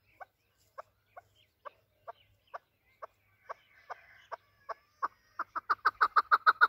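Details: Desi Afghani chakor, a chukar partridge, calling with the voice used by hunters. Clucking chuk notes start about two per second, then speed up into a loud, rapid, rhythmic chattering run at the end.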